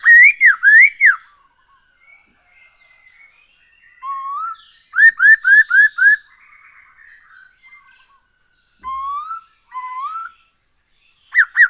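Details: Black-throated laughingthrush song, played as a lure to make birds sing more: bursts of loud slurred whistled notes in runs of four to five, rising whistles, and soft chattering in between.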